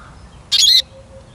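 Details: Eurasian siskin giving a brief scratchy chirp of about a third of a second, sharp and twangy, against quiet background hum.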